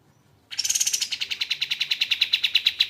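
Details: Kapas tembak (crescent-chested babbler) song recorded as a tutor for training songbirds, opening with a few higher notes and then settling into a long, steady series of over twenty rapid, ringing high notes.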